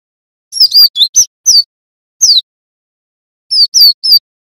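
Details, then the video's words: Male cinereous tit learning a rolling song: high, sharp notes slurring downward, in a quick burst of five, a lone note, then three more. No other sounds. "Glatik Batu Belajar Bunyi NGEROL"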